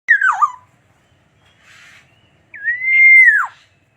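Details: Black-naped oriole, a golden-yellow songbird, gives a fluty whistled phrase: a quick note sliding downward, a pause with a faint rasp, then a long clear whistle that rises, holds steady and drops away at the end.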